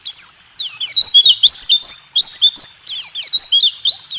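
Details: White-eye song in the 2023 rool tembak style, used to coax reluctant caged birds into singing: a dense, unbroken stream of high, rolling, slurred whistles, tumbling quickly up and down.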